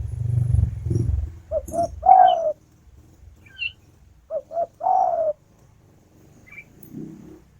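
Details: Two coo-coo-croo phrases from a female spotted dove calling her mate, after a low rumble at the start; a few faint chirps from other birds in between.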